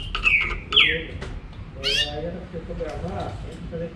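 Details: Green-winged saltator giving two loud, clear whistles that slur downward near the start, followed by softer scattered notes over a murmuring, noisy background.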